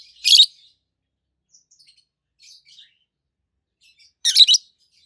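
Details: Peach-faced lovebirds, an adult green pair with one red face and one yellowish white face, chirping: a shrill grating shriek, quiet soft twitters, then a second loud stuttering shriek about four seconds later.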